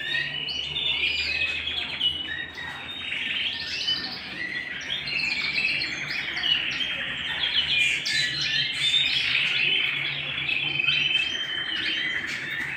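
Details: Indoor canary song, a long unbroken flow of fast warbling, rolling trills and sharp chirps with almost no pauses, bright and busy throughout, with a faint low hum beneath.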